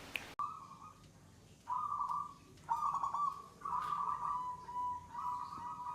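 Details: Local wild-type zebra dove (perkutut) in gacor, the third-stage song of a settled, unafraid bird with long bouts: rolling, trilled coo phrases held at one steady mid pitch, five bursts separated by short pauses.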